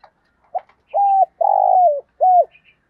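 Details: Decoy spotted dove calling in the early morning: a soft short lead note, then a clear flat coo, a long rougher coo sliding downward at the end, and a final bent coo, all mid-pitched in a quiet setting.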